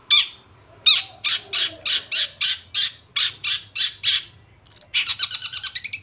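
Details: Madura-type long-tailed shrike, a kept songbird, gives a series of harsh, buzzy chattering notes about every third of a second, then a brief pause and a faster, higher run of rasping notes.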